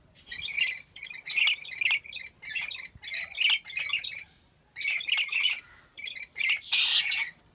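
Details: Rainbow lorikeets kept at a wildlife park in Aceh Besar, Aceh, Indonesia, giving harsh, buzzy screeches in bursts of about half a second, repeated in quick irregular runs, several birds calling over one another.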